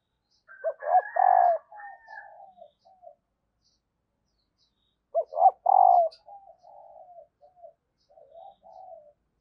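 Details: Spotted dove hen's call used to excite lazy males into cooing. Two bursts of rough, stacked coos, about five seconds apart, are each followed by trailing soft, wavering notes.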